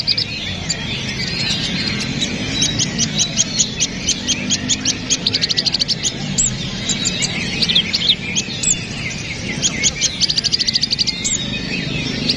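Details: Kapas tembak bulbul used as song-training material for caged songbirds: a lively run of high, rapid chirping notes in quick bursts throughout, with brief whistled slurs and a steady low background hum.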